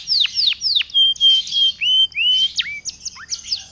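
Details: Canary song for luring other canaries into song: three sharp descending whistles, then long smooth level and rising whistled notes interspersed with buzzy bursts and quick dipping chirps.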